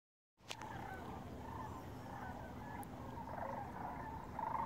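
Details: Several flocks of cranes flying north overhead above the Rio Grande Bosque at Corrales, New Mexico, heard from a mile away; a dense chorus of overlapping rolling, rattling calls over a steady low rumble, starting after a sharp click.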